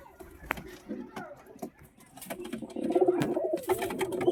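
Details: Indoors at a pigeon house, scattered clicks and taps open the recording before pigeons' deep, burbling coos build and grow steadily louder through the second half, overlapping in quick pulses.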